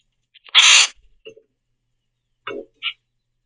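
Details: Several common grackles squabble over the last sunflower seeds at a backyard platform feeder, chasing and pecking each other: one loud, harsh, rasping squawk, then a few short, clipped chack notes and a brief squeaky note, with quiet between them.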